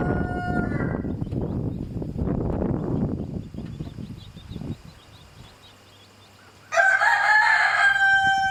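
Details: Farmyard chickens, a mother hen with chicks harassed by a rooster: low rustling and scraping noise fades to near quiet, then a loud, rich, sustained rooster crow bursts in near the end.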